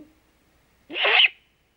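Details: Single harsh, hissing rasp lasting under half a second, a great horned owl at a camera-watched nest at dawn on 3 March 2018, where the female gives the food call while her mate hunts nearby.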